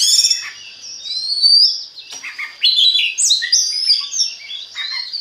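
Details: Oriental magpie-robin song used as a lure to stimulate other magpie-robins to sing: rich, varied high whistles, slurred sweeps and chattering notes in rapid phrases, with a steady high tone running underneath.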